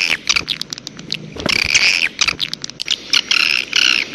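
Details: Wild grey-breasted prinia lure calls: rapid buzzy trills and scratchy chatter in short bursts, some thin ticking notes between, with a low thump near the middle.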